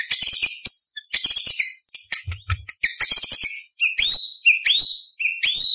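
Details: Murai batu, or white-rumped shama, giving tembak beset roll style song: dense rapid rattling trills, then clear upswept whistles repeated several times.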